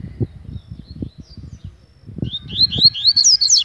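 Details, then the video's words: Double-collared Seedeater in an agitated mood: a fast run of rising, slurred high whistles begins in the second half, after a stretch of low tapping and thuds. "Coleiro ZANGADO"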